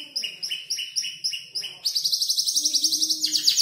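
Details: Canary about five months old copying songs of tutor birds: evenly spaced two-part chirps, then a sudden, very fast, high, rattling trill.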